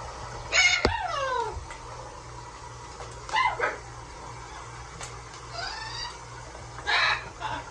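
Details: Large blue pet parrot bathing in a sink indoors, giving loud harmonic calls that slide downward, three separate bursts spaced a couple of seconds apart in a small room.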